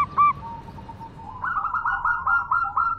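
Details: Local zebra dove, a female calling to a male, giving a soft whistled note that slides level, then a run of quick, evenly repeated throaty coos at a steady pitch, about four per second.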